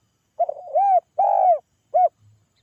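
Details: Spotted dove calling so that others reply: a soft stuttering start leads into a long hollow coo, then a second long coo and a short crisp one, in near silence.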